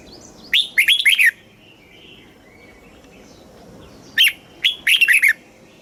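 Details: {'caption': 'Red-whiskered bulbul, a caged Thai songbird, in the southern master style used to excite birds and train young ones: two clear phrases about three seconds apart, each an opening whistled note then a rapid cluster of bubbly, falling notes.'}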